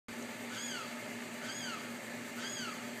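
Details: Limpkin in Tampa giving three loud, wailing, downward-sliding cries, one about every second, over a steady background hiss.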